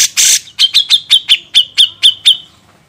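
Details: Grey-cheeked bulbul, recorded as a master track for training songbirds, opens with a hoarse rasping burst, then gives about nine short, sharp, evenly spaced notes that slow slightly and fade.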